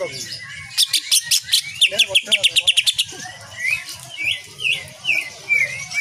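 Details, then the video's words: A greater green leafbird in full song for training cage birds, with nyengklir-style 'shooting' notes: a fast, even string of piercing chips, then several swooping whistled notes spaced about half a second apart. "Cucak ijo gacor penuh dengan tembakan kapas tembak nyengklir"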